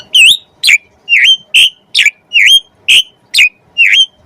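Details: Javan pied starling training material for kacer birds: a single loud, slightly upslurred whistled note repeated about twice per second, forceful and ringing.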